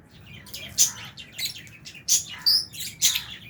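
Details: Albino and Fisher's lovebirds eating in an aviary with budgies; a rapid run of shrill, high chirps, five or six loud notes within three seconds over constant chatter.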